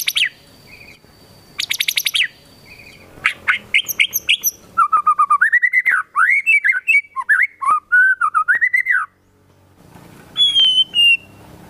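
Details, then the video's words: White-rumped shama singing loudly with kapas tembak fill-in imitations: clipped bursts and quick rapid-fire notes, then a long run of looping, warbled whistles, ending in a high drawn-out note. "MURAI BATU GACOR FULL ISIAN TEMBAKAN KAPAS TEMBAK"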